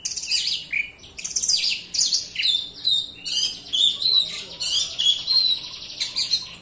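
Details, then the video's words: An Oriental magpie-robin pours out a rapid, unbroken stream of bright whistles, chirps and scratchy trills, high-pitched and varied, with no pauses between phrases; dense song used to prompt reluctant magpie-robins to sing. "Pancingan Kacer Gacor Rapat, malas bunyi pasti nyaut."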